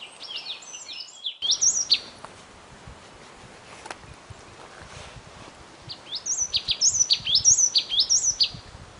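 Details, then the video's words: Lone bird singing in short bursts of high bright whistles and chips, a brief phrase at the start, a quiet gap with faint background noise, then another rapid phrase near the end. "nkauj noog quaj zoo mloog a bird that sounds good alone"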